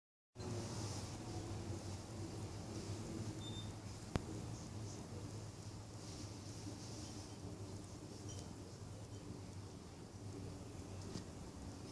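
No animal voice is heard, only a steady low hum of background noise broken by a single sharp click.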